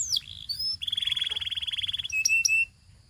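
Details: Belgian canary giving a sliding whistle, then a steady pulsed buzzy trill held on one pitch for over a second, ending with short sharp chirps.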